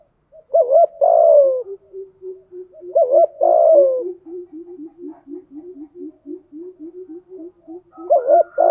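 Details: Spotted dove urgently cooing as a decoy to draw wild doves in the rainy, windy season, 'thổ sấm' voice: loud wavering phrases ending in a long falling coo, interleaved with a fast, rolling series of soft, low coos.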